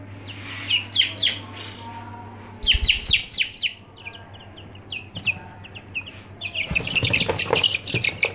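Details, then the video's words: Chicks of the Aseel breed in a brooder, many high descending peeps in bursts that grow denser and overlapping toward the end, with some low knocks and a faint hum underneath. "Aseel Chicks In Brooder"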